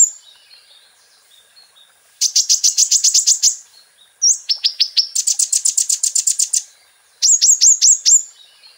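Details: Kolibri ninja song compiled as a training master for caged birds: bursts of fast, high, sharply repeated chip notes, each burst about a second long, with a few clear upslurred whistles between them, on a clean, quiet background.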